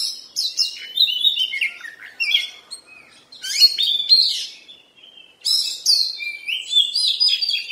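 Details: Oriental magpie-robin going through molt sings in three energetic bursts of varied whistles and chattering notes, separated by short gaps.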